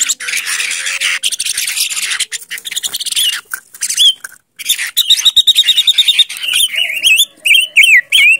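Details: Silver-eared mesia singing as a lure bird: dense chattering and buzzy notes, then a clear run of rapid even whistled notes followed by short rising and falling whistled phrases, with overlapping chirps throughout.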